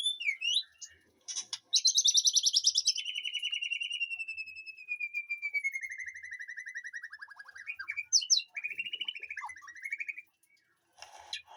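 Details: Captive white-rumped shama in a garden aviary behind the house giving a fast high trill that flows into a long, slowly falling rattling series, followed by varied whistled notes.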